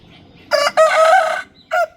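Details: Rooster crowing in the morning: a loud, hoarse cock-a-doodle-doo in three bursts, a short opening note, a long sustained middle note, then a brief clipped ending, over a quiet background.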